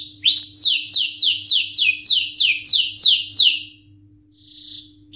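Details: Canary singing vigorously in the rolling, sharp 'ngerol nembak' style: a run of about nine clear, high notes, each sweeping steeply downward, roughly three per second, then a brief pause and a faint short note; a low steady hum underneath.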